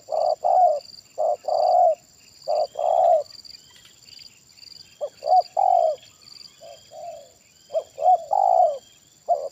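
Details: Loud spotted dove coo phrases from a decoy trapping session, deep 'kuk satu' style: rapid pairs of hoots and long mellow coos, several phrases in close series, softer answering coos in the background.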